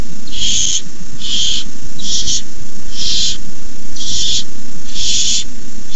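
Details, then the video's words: Nestling barn owls at a camera-watched nest at night, 18 May 2015, hissing while an adult brings in a rabbit; six loud breathy hisses, each under a second, spaced about a second apart against a low background rumble. "Owlets hiss."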